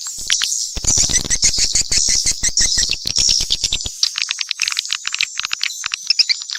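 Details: A mixture of swiftlet calls: fast, evenly spaced clicks over a high shimmering twitter, the clicks thinning out toward the end while the high chatter continues.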